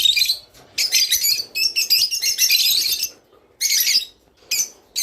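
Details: Rice finch song meant to prompt pairing and mating in kept birds: dense high twittering runs, a long chattering burst in the middle, then two shorter bursts after quiet gaps.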